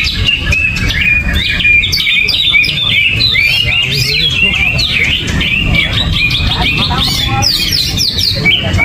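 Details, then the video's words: Uncovered greater green leafbird given no banana sings continuously: dense run of bright whistled notes, slurred up and down, with quick chattering bursts, all over constant low background hum. "Cucak Ijo Gerabakan No Pisang , No Kerodong , Cuaakkzzz !!!"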